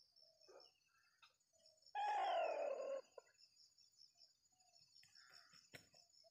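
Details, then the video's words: Decoy rooster crowing to lure wild Sumatran junglefowl, set out in a small oil palm plantation for traditional trapping. A single loud, harsh crow of about one second, slightly falling, over a steady insect drone and faint distant bird calls. "jenis pikat kokok selalu disorong oleh ori"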